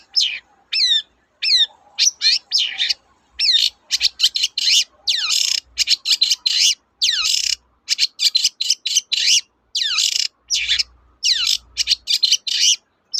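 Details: Long-tailed shrike song used as a lure to prompt reluctant birds to sing: a busy run of sharp, high chirps and downward-sweeping whistled notes in quick bursts, with short pauses and near-silent background.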